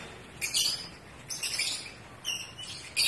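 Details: Breeding-season calls of pet African lovebirds: four brief, piercing chirp-squawk bursts spaced about a second apart over a soft steady hum.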